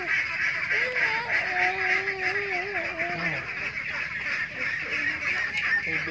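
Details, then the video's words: Ducks kept in a pen, ducklings and laying ducks among them, calling together in a dense, harsh, rapid quacking chatter. A smooth, wavering tonal whine runs over the din for the first three seconds. "suara bebek"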